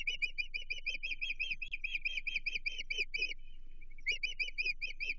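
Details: Nesting osprey in the Chesapeake, 15 June 2023, reacting to a stranger near the nest: loud, rapid whistled chips repeated in a dense series, a short pause, then the chipping starts again.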